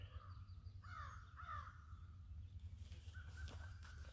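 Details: Several American crows flying around during a spring 2020 bird walk at Landis Arboretum. They give two harsh, hoarse caws in quick succession, then a flatter drawn-out caw, over a low wind rumble.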